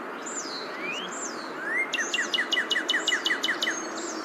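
Northern Cardinal song: a few clear slurred whistles, then a quick run of about a dozen sharp down-slurred notes, roughly six per second, over a steady hiss.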